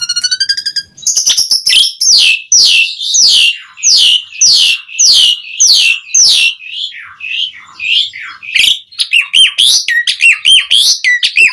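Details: Asian pied starling singing to summon other starlings: opens with a fast trill, then a long series of harsh, falling buzzy notes about twice a second, finishing in quick bright whistled chirps.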